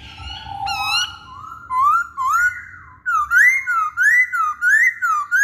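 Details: Lure song of masked laughingthrush, meant to prompt males that rarely sing: clear, slurred whistles that rise and fall, first spaced apart, then a quick, even run of upward-sweeping notes at the end.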